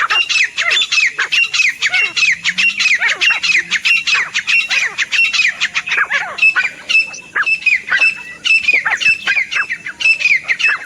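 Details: Grey Francolin, the teetar, calling nonstop with dense, harsh, ringing notes repeated rapidly in an unbroken series, the rhythm loosening slightly toward the end.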